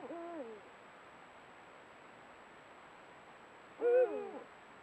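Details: Camera-trap audio of a Eurasian eagle-owl pair at golden sunset: a downslurred nasal call, then a louder, rich harmonic call about three and a half seconds later, with quiet background between them.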